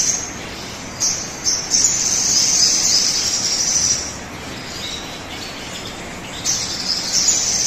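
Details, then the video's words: High, thin squeaky phrases of a sogon bird, played as a lure to get other birds singing quickly; strained notes in short bursts, then a longer sustained stretch from about two to four seconds, over steady background hiss. "pancingan suara burung sogon agar cepat bunyi"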